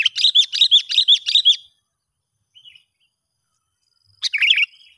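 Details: Sooty-headed bulbul in the wild, recorded while a young lure bird is tested: a brisk run of evenly spaced, bouncy chirps about six per second, silence, then a short sharp chattering phrase.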